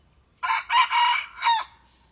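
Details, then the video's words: Young decoy red junglefowl, kept to lure wild birds for hunting, practising its crow: four loud, harsh, ringing syllables over about a second, the first three run together and the last set apart after a short gap, against a quiet background. "เสียงไก่ต่อไก่ป่า หัดขัน"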